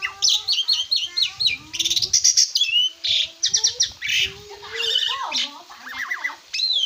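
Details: Asian pied starling in full song for a cage-bird training master: fast chattering chirps, noisy rasping passages and wavering warbles, over a soft low tone.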